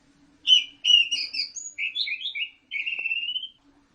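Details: Orange-headed thrush singing in a cage: a string of warbled whistled notes, some sliding down, others rising, ending in a longer rising whistle, with a faint background hum.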